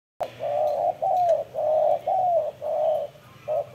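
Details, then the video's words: Spotted dove giving a strong cooing call: a run of six low, hollow coo notes, each about half a second long with short gaps, steady and repeated in quick succession over faint background hiss. "CHIM CU GÁY SIÊU GÙ"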